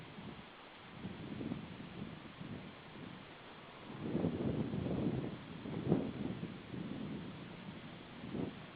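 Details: Low rumbling wind buffets and soft thuds rise and fall outdoors, with no animal voice heard.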